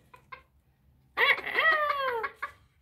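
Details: A miniature Old English bantam rooster, heard on a snowy day, gives a thin, squeaky, high-pitched crow lasting about a second that slides downward at the end, after two soft short clucks.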